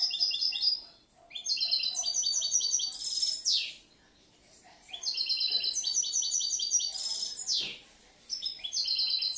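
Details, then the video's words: European goldfinch hatched last year, kept as a songbird and noted for changing and mixing its phrases, sings fast bursts of jingling, twittering notes and buzzy rasps, with two clear pauses between long phrases. "Un poquito del jilguero"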